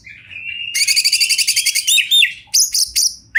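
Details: Oriental magpie-robin singing as a champion songster in a wild setting. A steady whistled note leads into a fast, even trill of repeated chirps, then ends in bright, high, sweeping whistles.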